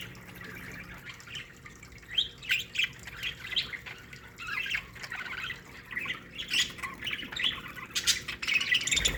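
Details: Budgerigars in an aviary colony, a busy chorus of many birds with warbling, scratchy chirps and squawks overlapping continuously, growing denser and louder toward the end, with a steady low hum beneath.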